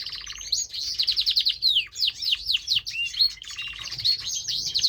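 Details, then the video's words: Caged pet canary in full song, loud and varied: quick repeated chirps, rapid descending trill notes and sweeping whistles in fast succession, with brief pauses between phrases; no other sounds apart from low hum. "Canary singing, " Buddy" the beautiful canary he loves to sing"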